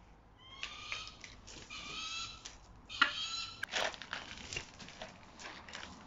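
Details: Captive striated caracaras, one of three birds, calling during enrichment indoors: several harsh, nasal, drawn-out cries with stacked overtones, overlapping one another, with clattering and knocking from objects being handled.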